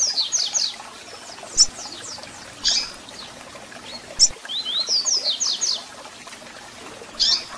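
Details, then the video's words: Double-collared seedeater song with calls for warming up caged birds: two bursts of quick, high, descending whistled notes, separated by sharp single chips that recur about every few seconds, over low hiss. "Canto de Coleiro com Piado para Foguear e Esquentar Seu Coleiro ou Papa-capim"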